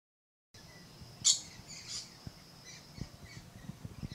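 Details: Red-collared lorikeet giving a single loud, harsh screech followed by softer rasping notes, with faint rustling and tapping in the background.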